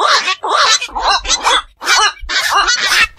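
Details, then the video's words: Black-crowned night heron calling at night near ponds or marshes: rough, raspy croaks given in quick clusters of about two per second, harsh and noisy with a faint low hum underneath. "বাকচু পাখির ডাক. নিশি বক এর ডাক. 4 রাত জাগা পাখির ডাক"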